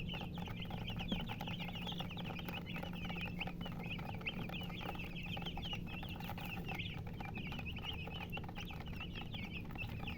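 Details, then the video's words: Many baby chicks chirping continuously, thin high peeps crowding together throughout, accompanied by a persistent low hum. "Baby "Chicks Chirping" Sound"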